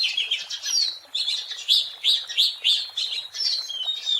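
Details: Oriental magpie-robin singing energetically in the wild, a lure recording: a string of quick, loud upslurred whistles, each sharply separated, then rapid chattering notes.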